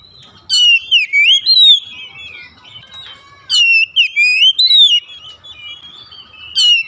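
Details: Kept oriental magpie-robin singing, played to stimulate silent birds: bright, fluid whistles and quick rising slurs in a loud phrase, then a pause of soft warbling before the next burst.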